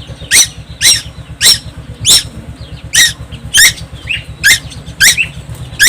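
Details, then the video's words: Young tuwu bird from Timor Island singing constantly and loudly: harsh, buzzy squawking notes repeated about every half second to second, with a few softer notes between and a steady low hum underneath. "burung tuwu Pulau Timor gak pernah diam."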